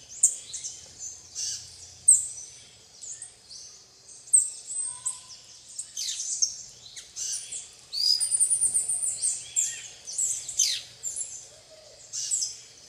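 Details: Plain parakeets (Brotogeris tirica) eating bananas alongside tanagers at RPPN Santuário Rã-bugio, Guaramirim, Santa Catarina, Brazil: a steady stream of shrill, high chattering and scratchy squeals, several birds calling over one another in quick bursts.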